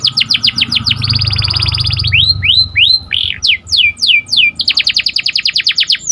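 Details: A canary sings in the morning, sweet and lively: rapid chips, a steady high trill, a string of loud rising slurred whistles, then a fast trill again, with a low rumble in the background.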